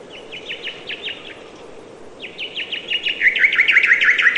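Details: Bird chirping in a natural setting, rapid series of short high chirps repeated about three per second, a brief pause, then a louder, faster run ending in bright trilled notes over faint background noise.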